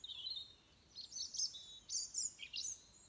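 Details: Morning bird song at dawn on 22 November 2020, 06:45, with Venus still shining: high, thin chirps and twittering phrases in short bursts, several rapid notes rising and falling, over a quiet background.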